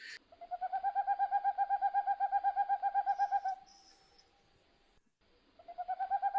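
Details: Boreal owl in the Pyrenees, likely a male in a possible breeding territory, giving the frenetic 'trincar' call: a rapid run of soft hollow hoots, about four per second, pausing briefly before starting again.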